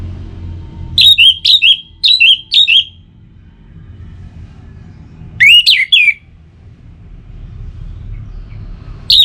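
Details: Song of an Orange-headed thrush, used to get caged songbirds singing: a run of four sharp, bright whistled phrases, a pause of nearly three seconds, then another loud burst of slurred whistles, over low background rumble.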